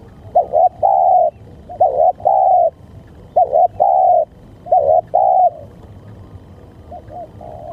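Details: Repeated cooing of a spotted dove: four full phrases of a wavering double note leading into a long, smooth coo, roughly every one and a half seconds, then a softer fifth phrase; quiet background.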